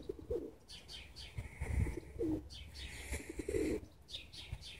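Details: Birds singing in spring 2017 at Borisovka, Bendery, among blossoming trees; soft low cooing phrases repeat about every one and a half seconds, with fainter higher chirps and background noise.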